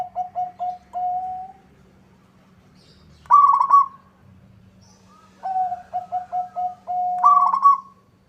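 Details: Local zebra dove singing energetically to draw a rival's reply: runs of short mellow coos ending in a drawn-out note, alternating with brief rolling trills; pauses between phrases, steady low hum behind.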